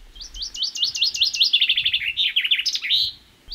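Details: A Common chaffinch sings its characteristic strophe, repeated thousands of times a day in spring: a bright run of separate notes that speeds up and descends, ending in a loud rising flourish, all within about three seconds.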